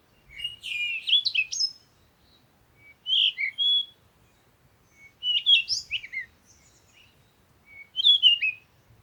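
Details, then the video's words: Energetic bird song in four separate phrases, each a tumbling mix of high twitters and whistles, spaced about two seconds apart over near silence. "Sound of the Birds"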